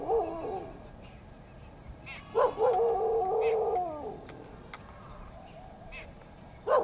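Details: Jungle babblers, recorded 19 April 2023, giving nasal, whining calls in bursts, one long drawn-out phrase of about two seconds, with a few sharp clicks and quiet background noise.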